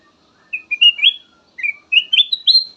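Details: Melodious black-naped oriole song for luring other birds: two quick phrases of fluty whistled notes, each building from short notes into rising, wavering slurs, the second phrase higher, with nothing else audible.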